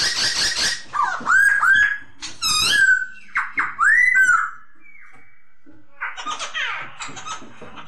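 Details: Masked laughingthrush (poksay hongkong) giving curved, looping whistled notes between harsh noisy bursts, with rough hiss and clatter throughout.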